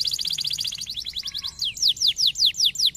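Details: Canary song used to stimulate other canaries to sing: fast trills of high notes, then slower, louder descending whistled sweeps repeated about three times a second.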